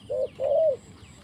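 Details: A decoy spotted dove, set on the ground for trapping, gives a two-part coo: a brief soft note followed by a longer, smooth, slightly rising and falling hollow coo. Light bird twitters sound faintly in the background.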